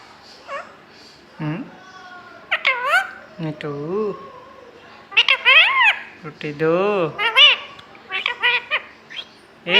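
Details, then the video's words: Green talking parrot, said to be calling its own name, chatters in a string of wavering, speech-like syllables, rising and dipping, with bursts packed close together and soft room hum beneath. "Parrot sound Bolne wala totha talking Parrot calling Mithu"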